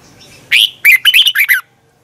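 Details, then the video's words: Morning song practice by a kept red-whiskered bulbul: one brief warbling phrase of five or six quick, bubbly whistled notes, the first note sliding up and the last falling away. "luyện chào mào hót sáng"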